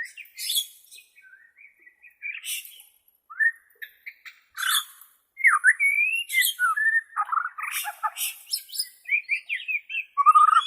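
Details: White-rumped shama of the Borneo form in a varied song. Scratchy high notes and slurred whistles mix with short chirps, then fast, bubbling whistled phrases that end on a loud lower whistle. Clean, with no other sounds.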